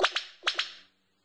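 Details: A male Black Sicklebill gives loud, explosive, whip-like vocal bursts in two quick pairs, each pair half a second apart, from his courtship display territory, advertising to distant females and announcing his presence to neighbouring males.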